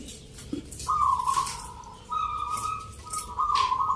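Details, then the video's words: Local zebra doves at a Sunday 19 November song contest in Yogyakarta, Indonesia, judged on the Nglagu Ngepat Mentaraman rhythm style. Trilled cooing phrases overlap from several birds, with short gaps. There is crowd murmur and faint clicks behind them. "Pertarungan sengit Perkutut lokal irama 😱Suaranya ngerih"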